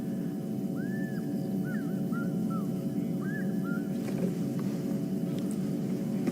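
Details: At sunrise on a game drive near a dam, a distant African Fish Eagle, seen flying and calling there days before, gives ringing arched yelping notes over a steady vehicle engine rumble, a few clicks near the end. African fish eagle.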